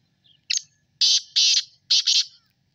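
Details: Black francolin calling: a short high note, then two loud, harsh, grating bursts, each a doubled rasping phrase, delivered within about two seconds against a quiet background.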